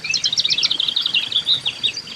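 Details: A juvenile Common Grackle at a backyard feeding station in late July begs for food with a rapid, nonstop stream of high, scratchy chirps, several each second, as the parent tries to wean it. Faint outdoor background noise.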